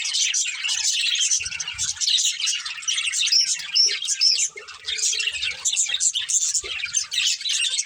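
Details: Budgerigars kept as a family group warbling and chirping without pause, with a few looping whistled notes mixed into the steady chatter.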